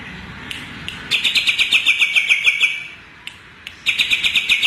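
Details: After a few isolated clicks, a cucak ijo Kalimantan, the greater green leafbird, launches into a long run of rhythmic, buzzy chirps, pauses, then starts another series.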